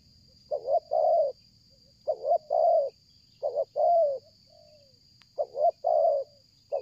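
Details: Spotted dove calling tirelessly for luring, its phrases stuttering: a quick doubled note leading into a longer warm coo, repeated four times with short gaps and a faint descending coo, over a continuous thin high whine.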